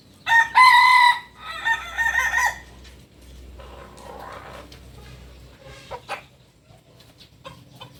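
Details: Singing Kukuak Balenggek cock, a breed native to Solok in West Sumatra, Indonesia, crows: a strong, clear, sustained first note flows into a stuttering run of syllables that fades. Faint clicks and soft rustling sounds follow.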